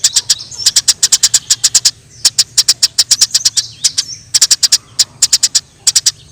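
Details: Eurasian tree sparrows squabbling in the wild: dense groups of rapid, high, clear chirps, each group separated by brief pauses, with a faint whistle in the background.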